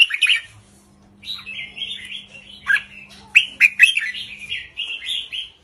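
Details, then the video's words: Red-whiskered bulbul song, short and easy in the 3-4-5 phrase-counting style, played to excite birds; an opening chirpy burst, a pause, then a flowing run of slurred whistles ending in bright accented notes, with a soft hum. "นกกรงหัวจุกริกมันส์ เพลงสั้นๆ ร้องง่ายๆ สไตล์นับดอก 3-4-5 เปิดยั้วนกฟังนกคึก"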